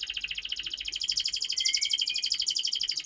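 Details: Young canary song used to prompt other birds to sing: a continuous fast high-pitched trilling roll, steady and unbroken, with one brief rising whistled note partway through.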